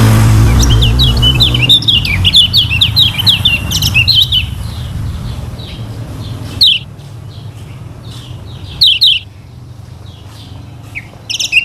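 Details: Lemon-bellied white-eye, the Lombok yellow kecial, recorded as a lure to get birds singing: a dense run of high twittering notes for about four seconds, then sparse separate chips over a low rumble.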